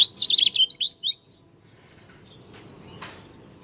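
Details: Oriental white-eye from Lombok, singing with a strange voice: a rapid, high twittering phrase of wavering notes lasting about one second, then quiet background with a faint distant chirp.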